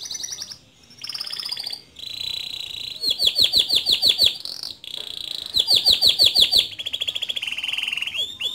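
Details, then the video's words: Song of a male canary, used as a model for young canaries to learn from: high buzzy rolling trills alternate with bursts of quick descending notes, the phrases changing every second or so. "Suara Kicau Kenari Jantan Gacor Ngerol Nembak Cocok Dijadikan Masteran Kenari Muda"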